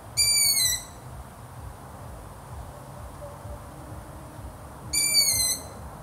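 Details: Long-eared owl uttering two thin, squealing calls nearly five seconds apart, each a drawn-out high note sagging slightly in pitch, over soft background noise.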